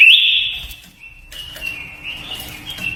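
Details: Japanese white-eye lure song for exciting birds and voice training: a loud high trilled phrase opens, followed by quieter, thin, wavering warbling notes.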